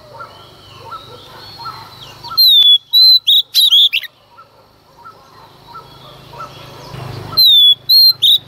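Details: Female Oriental magpie-robin singing in the early morning to provoke males: two bursts of loud, clear whistled notes, several sharply falling, separated by a quieter stretch of faint soft twittering over a low background hum.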